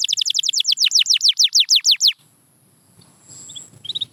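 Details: Canary singing for motivating quiet canaries: about two seconds of rapid, evenly repeated falling whistles, followed by near silence and a few faint high chirps.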